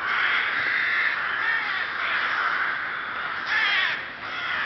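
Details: Rooks at the Ptačí ostrovy nature monument in Chrudim, Pardubice Region, Czech Republic, 30 May 2011: a dense, continuous din of harsh, overlapping caws, swelling and easing in waves with no pauses.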